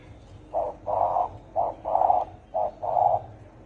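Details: Spotted dove of the deep-voiced Vietnamese 'thổ ồm' type, calling to provoke wild field doves: three paired coos, each a short note followed by a longer, rough, mid-pitched coo, over faint low hum.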